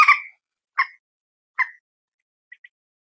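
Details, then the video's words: Phone recording of a common moorhen (peruk or mandar batu): three loud, harsh single croaks spaced under a second apart, fading to two tiny clicks, then quiet. "suara burung PERUK/ MANDAR/ TIUNG"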